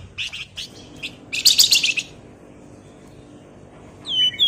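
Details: Flamboyan bird singing energetically in a rapid chattering style, used as a lure to draw other birds into singing: short bursts of high, dense chirps, then a loud buzzy rattle lasting half a second, followed by a pause and a rising whistled note.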